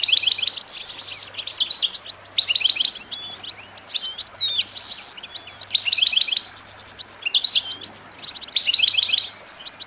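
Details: Continuous goldfinch song: repeated bursts of quick tinkling trills about every one to two seconds, mixed with buzzy notes and rising whistled slurs, with a faint low hum behind.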